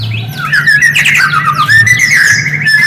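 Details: White-rumped shama song used to provoke other shamas: short, rich warbling phrases of slurred whistles and chirps, fairly continuous, with a low humming tone throughout.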